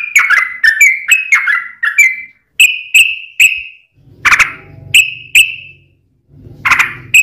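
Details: Sooty-headed bulbul singing, used as a lure for other bulbuls: slurred bubbly notes followed by clear falling whistles, with a low humming background noise under some later notes.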